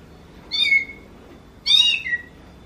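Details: Oriental magpie-robin giving a sound said to resemble a kitten meowing: two short mewing notes about a second apart, each a bright descending slur with a lower trailing tone, over quiet background.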